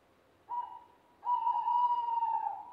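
An owl gives a brief hollow hoot, then a longer steady one held for well over a second, both on one clear mid-pitched tone.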